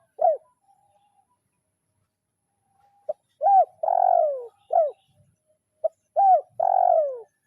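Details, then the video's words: Spotted dove trained as a decoy in the kuk 0-1 style, calling a rival: an isolated coo, a long silence, then two full phrases of short note, arched coo, long falling coo and clipped note. "Suara Tekukur Memanggil Lawan / Pikat ajaran kuk 0-1"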